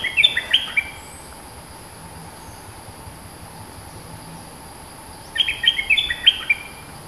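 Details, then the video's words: Bulbul, described as a fierce dominant local bird singing long songs, gives two quick bursts of bright, chattering whistled notes, each about a second long, separated by a four-second pause over a steady background hum. "เสียงนกดอกแตง Ep.212 จ้าวถิ่นดุ!! สับเพลงยาวน่าฟัง Suara pikat merbah lekir gacor"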